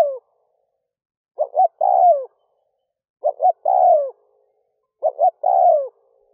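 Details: At daybreak a decoy spotted dove repeats its cooing phrase three times, about every two seconds, to draw in wild doves. Each phrase is two short hoots and a long sliding coo that falls in pitch.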